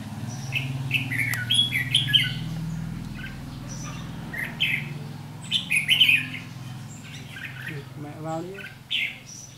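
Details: Red-whiskered bulbuls at a trap with a decoy, 7 July 2016, giving the aggressive ché fighting song: clusters of bright, slurred chirping phrases separated by pauses, with a low background rumble and brief human voice near the end.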